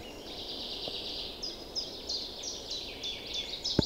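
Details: Newly arrived birds singing together in early spring, on an April day by a flooding river in forest and meadow; rapid high chirps and short trills blend over constant hiss, ending with a sharp knock.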